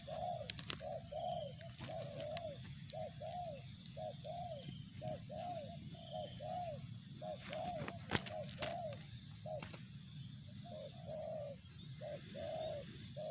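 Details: Spotted dove (tekukur) calling in 'target zong' style: a long run of mellow low coos in quick paired bursts, nearly one per second, with sharp clicks and knocks and a steady low hum behind.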